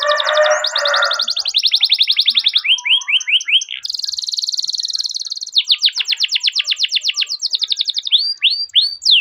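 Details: Canary with long rolling song as a lure for training young birds: harsh chatter, then fast rolling high trills, a run of quick downslurred notes, a buzzy held trill, and rising swoops near the end.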